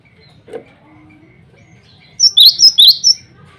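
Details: Male cinereous tit calling rivals and females: after near-silence, one late burst of five sharp, high, down-slurred whistled notes in quick succession, with a low background hum.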